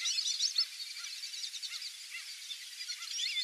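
A flock of Brazilian teal keeps up a dense chatter of high, thin whistles, with a few lower rising squeaky notes about every half second.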